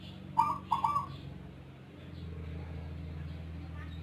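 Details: Zebra dove of Rondosemoyo type with an unusual voice gives one brief triple coo, followed by steady low droning hum.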